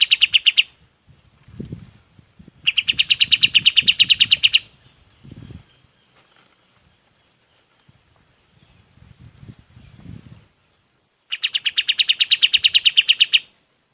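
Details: Golden-bellied gerygone singing, recorded for training other birds: rapid buzzy trills of evenly repeated notes, bursts of about two seconds separated by pauses, with soft low knocking and footstep-like sounds between phrases.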